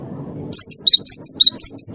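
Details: Cinereous tit, wingko type, first-place winner, played to coax other caged birds into song: a fast run of sharp, high, bouncing whistles, about eight notes, starting abruptly after quiet low rumble.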